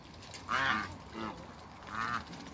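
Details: Three African geese on a farm give loud nasal honks, one long blaring call then two shorter ones, in a quiet outdoor setting.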